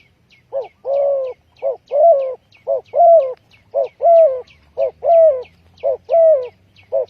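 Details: Steady cooing of a spotted dove used to lure birds into traps: short coos alternate with longer, wavering croons in a regular rhythm, nearly one per second, with faint high ticking chirps from another bird behind.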